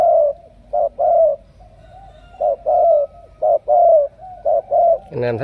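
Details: A spotted dove from Cà Mau gives mellow cooing phrases of short and longer notes separated by pauses, ending with a brief, harsher broadband sound.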